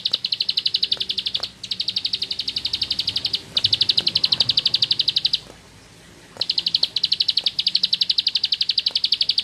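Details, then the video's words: Rice-field bar-winged prinia in ngebren song, pouring out quick high-pitched ticking notes in four long strings, with a silent gap of about a second before the final extended run. "Suara Burung Sawah Receh Nembak Ngebren // Ciblek Sawah"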